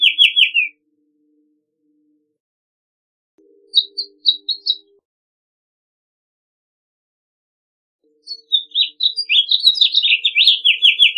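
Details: House Finch song from playback: a burst of rapid warbled notes, a short group of high chirps, then a long jumbled warble of slurred notes sweeping downward near the end.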